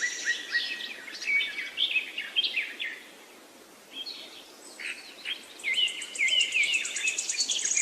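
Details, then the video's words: Wild birds chirping in forest jungle in hill country; several overlapping bright chirps and short rising whistles, busy for three seconds, a brief lull, then denser repeated notes, over faint background hiss. "Birds Chirping sound in the Forest, Jungle,Pahar"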